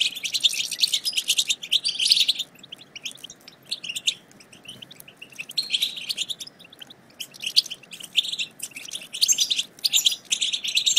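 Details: Chatter of European goldfinches, played to trigger singing in silent birds: rich bursts of high twittering and trills alternating with quieter stretches of sparse chirps.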